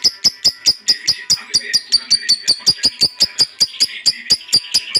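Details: Lovebird calling to prompt other lovebirds to sing: sharp, high clicking notes repeated evenly about four times a second over a faint chattering background.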